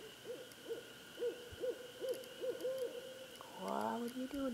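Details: Barred owl responding after a person calls it in, giving a quick series of about seven short, arched hoots at even pitch, then a lower, drawn-out descending phrase near the end; faint background hiss and a steady hum throughout.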